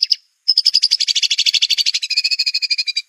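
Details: White-rumped shama in full 'tembakan' rapid-fire competition song, a clear master recording for other birds to copy: a short high note, a brief pause, then a fast buzzy trill of about twelve repeated notes per second that lasts over two seconds.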